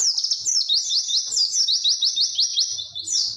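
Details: White-eye in long, clear 'witwit' song style, recorded as a tutor for training other birds; a loud, unbroken high chattering trill of rapid repeated downslurred notes.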